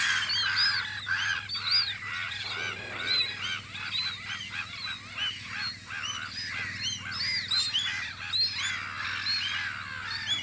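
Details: A thick spring chorus of gulls guarding their post on Audru polder: continuous overlapping cackling, arched cries, loud and steady, with a low hum underneath.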